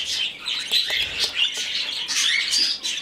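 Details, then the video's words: Rescued young budgerigar begging during hand-feeding: scratchy, buzzing calls in quick rhythmic bursts with a few thin whistled notes. "Выкармливание птенца волнистика."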